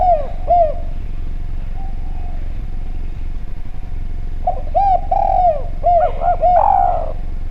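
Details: Clear-voiced Javanese spotted dove calling as a lure for other doves: one soft coo, a long quiet gap, then a rapid phrase of arched coos ending in a longer falling note. Low rumble throughout.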